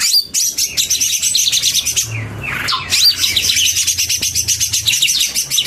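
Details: A chorus of male and female leafbirds gives a continuous stream of rapid high chirps and trills. A brief lull around the middle brings slurred descending notes before the dense chatter resumes.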